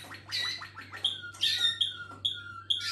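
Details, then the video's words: Waterslager (Malinois) canary singing: a run of quick descending chirps, then clear ringing high notes repeated about every half second, over a low steady electrical hum. "malinois Waterslager"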